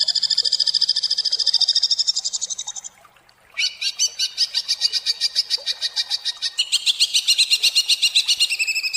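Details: Greater green leafbird in rough, varied 'tembakan' delivery, tight and sharp: a steady high buzzy trill that cuts off, silence, then two long runs of fast, rasping repeated notes.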